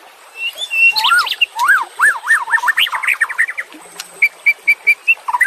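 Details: White-rumped shama song used as training audio for caged birds that have stopped singing: a rapid run of rising and falling whistled notes, then a series of short, evenly spaced clear whistles near the end.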